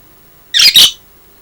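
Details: An 8-year-old pet budgerigar, which sings and imitates Light-vented Bulbul calls, gives two quick, harsh, scratchy squawks in close succession.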